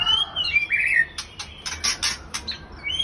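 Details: White-rumped shama from a caged breeding pair: opening with sliding whistled phrases, then a quick series of harsh, clicking bursts, closing on a rising whistle.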